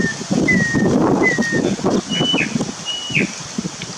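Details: Forest-dwelling wild starling (cucak keling) giving four clear whistles: two gently falling notes, then two higher level notes that dip at the end. Loud low rustling and knocking noise runs throughout.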